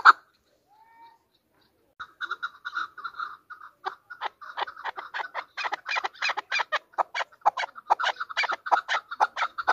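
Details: Chukar partridge, Pakistan's national bird: after a quiet start, a rough chattering series of clucks begins and grows louder and faster, with uneven spacing.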